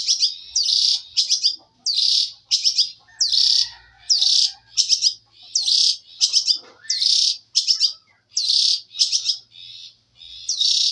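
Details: Canary song used as training material: loud, harsh chattering bursts repeated about every second in a steady, insistent series.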